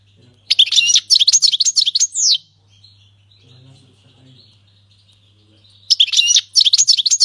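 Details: Syrian goldfinch performing the king's language song style cleanly: a long run of bright, fast, liquid twitters and trills, then a pause with a faint low hum, then another twittering phrase begins.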